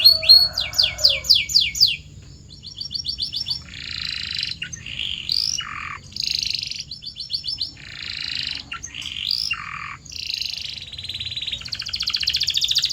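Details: Canary song used as training sound for caged canaries: opens with fast repeated sweeping notes, then varied phrases of buzzy rolling trills and high chattering elements, changing every second or so.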